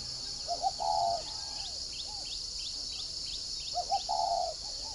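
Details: Spotted dove decoy bird from a dove farm in Ba Vì, Hanoi, Vietnam, 'giọng còi' voice: two mellow multi-note cooing phrases about three seconds apart. Thin high chirps from another bird and a steady insect hiss run behind.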